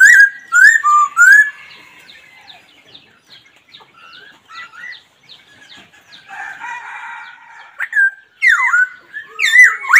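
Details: Laughingthrush opening with loud rising whistles, then softer, fainter notes and a rough buzzy passage, finishing with strong swooping whistled phrases.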